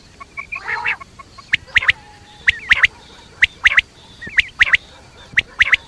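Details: Quail calling at night: sharp, clipped notes in quick pairs and triplets, about one a second, with a brief harsh burst near the start.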